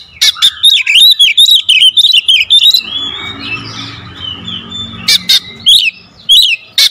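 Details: Oriental magpie-robin (kacer) song in the rapid 'tembakan rapat' style, used as a lure for kept birds: fast bursts of sharp, high chirps and whistled slurs, a harsh scratchy buzzing stretch midway, then more clipped high notes.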